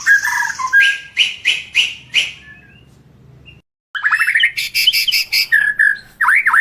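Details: White-rumped shama pouring out melodious song: a few low whistles, a series of loud clipped notes, a short silence, then quick rising notes, bright chirps and slurred whistles.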